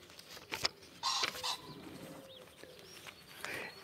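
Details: A male pheasant, heard from a rooftop in England on a breezy spring day, 4 April 2020, with blossom out and said to have a mate, gives harsh, loud, rasping bursts, the strongest about half a second long, with quieter scratchy notes between.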